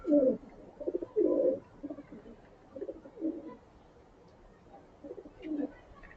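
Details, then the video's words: Feeding pigeons in the morning: a series of deep, gurgling coos in uneven bursts, louder at the start and fading to softer murmurs, with a faint higher chirp late on. "अलग-अलग प्रकार की ध्वनि सुनने को मिल रही है। कभी धीमी गुटुगू तो कभी सावधानी की आवाज तो कभी मातृत्व की आवाज"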